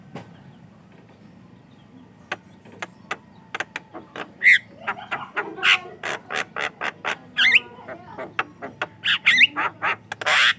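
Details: Energetic Javan myna, a training and lure recording for young mynas: sparse sharp ticks build into a dense stream of harsh, buzzy rasping notes mixed with short whistles, repeated rapidly to the end.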